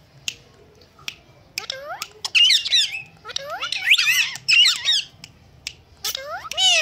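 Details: Indian green ringneck talking parrot, described as whistling and meowing well; scattered clicks give way to clusters of shrill, warbling squeals and wavy whistled notes in three loud bursts.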